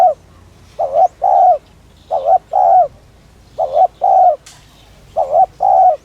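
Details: Urging 'thúc' coos of a Spotted dove (cu gáy), meant to rouse and draw in other doves: four paired phrases, a short quavering note then a fuller sustained coo, repeated about every one and a half seconds, low and mellow.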